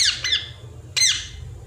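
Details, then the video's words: A parrot (tota) using its natural voice: three harsh, high screeches that slide downward, the first two close together and the third after a short pause, over a low steady indoor hum. "parrot natural Voice no sound effect || parrot care || Tota ki awaz"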